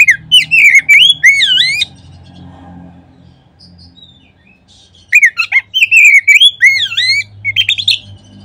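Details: Oriental magpie-robin (kacer) singing as a lure to stimulate other kacer: two bursts of loud, fluty, looping whistles and slurred notes, separated by about three seconds of near silence with a soft low hum.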